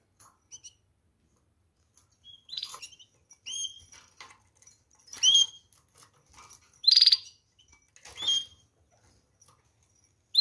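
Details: Canaries chirping: short, bright whistled notes and quick clipped chirps in scattered bursts about a second apart, with quiet pauses between them and no other clear sounds.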